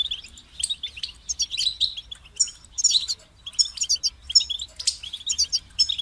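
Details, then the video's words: A kept European goldfinch sings rapid high chirping phrases mixed with thin whistled notes and short buzzy trills, in a lively stuttering sequence. "Highlighting motivating songs for creative goldfinches in simple ways"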